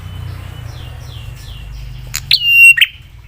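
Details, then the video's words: Prinia with a sharp, provoking song aimed at other prinias: faint chirps over a low engine rumble, then one loud phrase of a click, steady high whistle and buzzy ending. "Prenjak suara PEDAS bikin prenjak lain cepat nyaut dan emosi"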